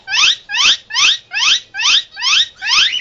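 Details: Pet Indian ringneck parakeet, hand-raised from weaning, making emergency sounds: harsh, loud screeches with falling tones, repeated steadily about twice a second, seven in a row, in a quiet room.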